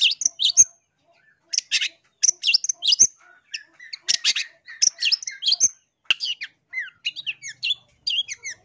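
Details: Long-tailed shrike singing clearly, a lure recording for catching wild birds: clustered high chattering phrases of harsh chips and short whistles, separated by brief pauses, ending in thinner rising and falling twitters.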